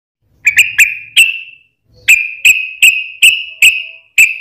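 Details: Yellow-vented bulbul, a lure recording used to make other bulbuls sing in reply: sharp, bright notes with short falling tails, in two bursts of four and six, separated by a brief pause.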